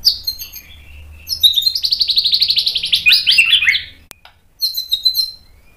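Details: White-rumped shama training song played to provoke a response: soft opening notes, then a long rapid rattling trill of about ten pulses a second, a pause, and a brief high chattering phrase.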